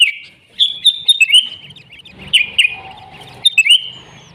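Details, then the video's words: Wild kutilang, or sooty-headed bulbul, in lively song; a string of quick bright whistled notes and chirps, with a faint lower steady tone and soft background rustle underneath. "Suara Burung Kutilang Gacor ASLI ALAM lanjut NGGARUDA"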